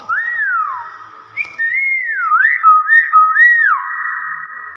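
A common hill myna gives a run of loud, clear whistles that swoop up and down and loop into one another, over a faint steady hum.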